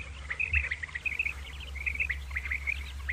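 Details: Common quail (batair) calling in the morning: rapid high chirps in short overlapping clusters that run without pause, over a low steady hum.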